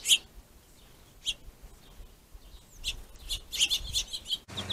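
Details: Finches fighting over a plentiful food source give short, high chips and sharp squeaky notes in irregular bursts, clustered toward the end, over faint background hiss.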